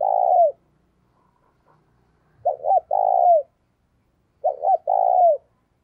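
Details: Spotted dove decoy bird cooing to get another dove calling; the end of one long coo, then two complete phrases about two seconds apart, each two quick notes and a sustained coo sliding downward.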